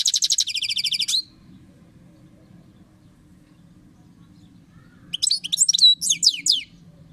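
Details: European goldfinch song phrases: a rapid buzzy, metallic trill lasting about a second, then a long pause, then a twittering run of sharp, sweeping chirps. A soft low rumble sounds in the background.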